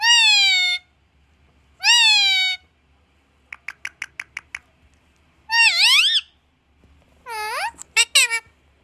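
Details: Parrot saying "Maa" indoors; drawn-out nasal, harmonic "maa" sounds and a rising, bleating "aaa", separated by a short run of sharp clicks, with a low steady hum beneath.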